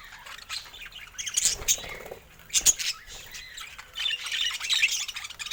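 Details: Budgerigar chatter, softer and more broken up: clusters of high, scratchy chirps and squeaks separated by short lulls.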